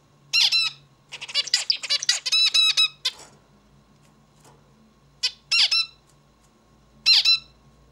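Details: Zebra finch song: a quick, stuttering run of loud, nasal, buzzy notes and clicks lasts about three seconds. Isolated buzzy notes follow after pauses, with a faint steady electrical hum in the background.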